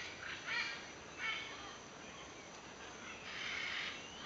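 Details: Macaws at a sanctuary give three harsh, raspy squawks over about four seconds, the last one longer and drawn out, against a steady background hiss.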